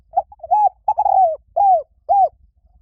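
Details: Spotted dove phrase of soft, mellow coos: a brief lead-in note, a drawn-out wavering coo, then two crisp arched coos at steady spacing, recorded close with little background.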